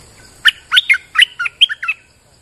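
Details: Bulbul recorded on a rainy day, singing a quick phrase of about seven bright, chirpy notes that jump up and down, each short and clipped, over a quiet background.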